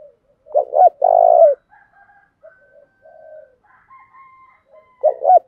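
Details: Spotted dove giving an urging 'gáy gọi + thúc' coo meant to excite wild doves into cooing: two quick notes and a drawn-out rolling coo, a pause of faint soft notes, then a new phrase starting.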